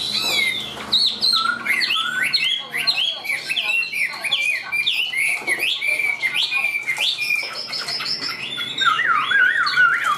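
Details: Chinese hwamei, a caged hand-carried bird, pours out continuous high, varied song of quick slurred whistles and twisting notes, with barely a break throughout.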